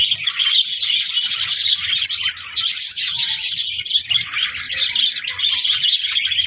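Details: Budgerigar chatter of quick chirps, squeaks and scratchy trills, busy and lively, dipping briefly near the middle before resuming at full pace.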